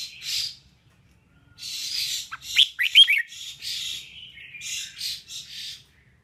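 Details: Female red-whiskered bulbul singing to rouse males during training of competition birds: a lively run of quick chirps and short slurred whistles, interleaved with breathy rustling bursts.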